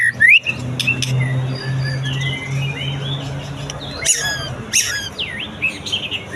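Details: White-rumped shama singing after its moult: sparse whistled phrases, a bright upward note at the start and sharp high sweeps near four and five seconds, with a steady low mechanical hum throughout.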